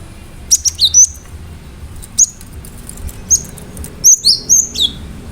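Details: Cinereous tit (gelatik batu) singing actively in sharp bursts meant to provoke other birds into answering; thin high whistled notes, some rising and some sliding down, in quick clusters of three to four, repeated several times over a low hum.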